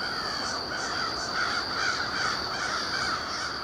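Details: Crows staging beside a winter overnight roost near warehouse buildings just after sunset on October 21, 2021; continuous overlapping caws from many birds, repeated more than twice a second, with a steady high-pitched hum.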